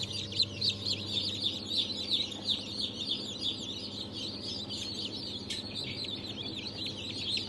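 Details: Freshly hatched chicks of Brahma, Fizan, Australorp and Legbar varieties, hatched 3 March 2023, keep up a thick wall of thin, high peeping chirps, rapid and overlapping, with a noticeable low electrical hum underneath.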